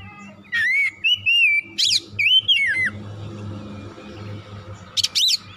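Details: Oriental magpie-robin (kacer) song used as therapy to provoke a fired-up, full-voiced bird; clear whistled notes with slurred rising and falling phrases, sharp harsh bursts between them, then a quieter stretch before more harsh notes.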